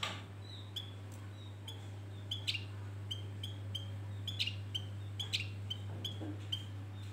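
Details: Male Javan grey-throated white-eye singing bait song to lure birds: a rapid run of short, soft high whistles mixed with sharp clicks and ticks, over a low steady hum.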